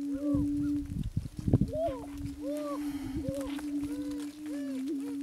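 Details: Attwater's prairie chicken, an endangered subspecies of the greater prairie chicken found at three Texas locations. A steady low droning hum runs throughout, with repeated arched, whooping cackles above it and a burst of dull thumps near the middle.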